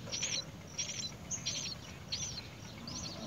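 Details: Great myna chick begging for food as the mother brings earthworms: thin, high, raspy squeaks in short bursts about every two-thirds of a second, over a low background rumble.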